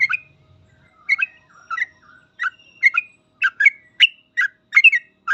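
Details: Rapid 'full ropel' singing of a sooty-headed bulbul, used as training material for caged trucuk birds; quick liquid chirped phrases start sparse, then come steadily about twice a second, with a brief low rumble at the start.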